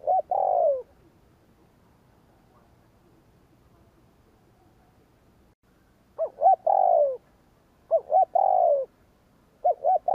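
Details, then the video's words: Provocative 'gù kích' cooing of a spotted dove: a single long falling coo, six seconds of silence, then three phrases of two short stuttered notes leading into a drawn-out descending coo. "Tiếng cu gáy gù kích chuẩn / Chim cu gáy gù kích bổi chuẩn nhanh nổi / Cu gáy gù phóng"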